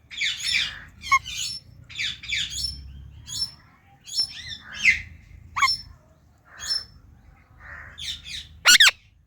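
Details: Indian ringneck parrot giving loud natural chirps: short bright calls in bursts roughly every half second to second, some sharp rising squawks, ending in a loud harsh screech near the end, over a low steady background hum.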